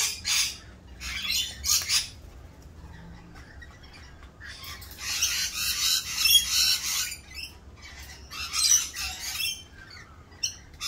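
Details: Rainbow lorikeets in mating season, doing their mating dance; loud rasping squawk bursts at the start, middle and near the end, with quieter pauses between.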